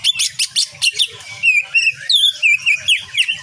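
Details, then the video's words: Greater green leafbird in full song on a training recording for cage birds, packed with rapid 'shooting' notes in the nyengklir style: bursts of sharp, high chips repeated about five times a second, then loud slurred whistles rising and falling. "Cucak ijo gacor penuh dengan tembakan kapas tembak nyengklir"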